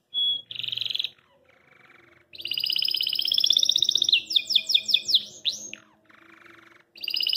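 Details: Belgian canary singing out of joy in its cage, hopping: short whistle, rolled buzzy trills, a long loud rattling trill, then rapid sweeping chirps and a soft lower buzz between phrases.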